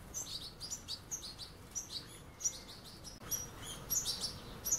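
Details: Young European goldfinches beside adults at a puddle, fledglings pursuing the grown birds: scattered short, sharp, high chirps in small clusters with brief pauses, one faint click near the middle, over quiet background hiss.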